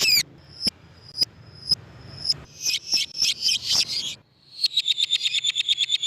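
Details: Lovebird, played to lure lovebirds: spaced sharp high chips, then a burst of harsh squeaky chatter, ending in a fast even trill of rapid high pulses.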